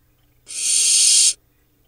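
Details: In a nest camera in the Hula Valley, Israel, on 7 July 2021, barn owl chicks about a month after hatching give one steady, rasping hiss lasting nearly a second against a quiet background.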